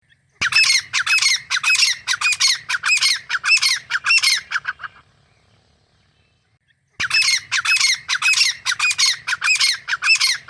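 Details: A wild grey francolin (Francolinus pondicerianus) pair, male and female, in forest habitat, calling in loud, harsh, ringing squawks repeated rapidly in a long series, pausing two seconds, then resuming.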